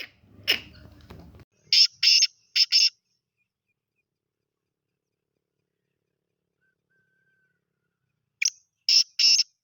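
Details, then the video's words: Grey francolin, Sindhi type, chakri-style caller credited with 270 calls in one minute: a short burst of harsh, clipped notes, a long silent pause, then another quick group of loud, scratchy syllables. "Aik mint ki 270 awaz + chakri wala teetar"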